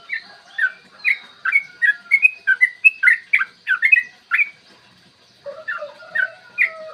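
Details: Yellow-vented bulbul singing its fighting song, used in the morning as a lure for other bulbuls: a run of chirpy, slurred whistles for about four seconds, then a quieter stretch with steady lower whistles underneath.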